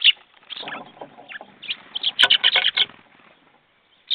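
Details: Jackdaws recorded on 21 February 2014 at 10:50 in the morning: a few scattered short calls, then a quick burst of about eight sharp, clipped notes. A softer murmur sits underneath, and one final call comes after a pause.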